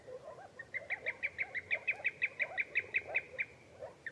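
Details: A common greenshank utters a quick string of about fifteen sharp, ringing notes in three seconds, each clipped and even, with lower scattered calls in the background.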